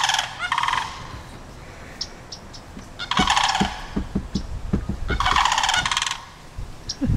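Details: Sandhill cranes standing their ground and warning off a dog across the street, giving loud rolling rattled bugling bursts that come in repeated bouts about every two seconds, with a person talking nearby.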